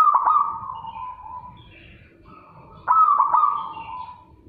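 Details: A zebra dove (Geopelia striata) gives two loud cooing phrases, each opening with quick staccato notes and then running into a long, slightly falling trill, over a low background hum.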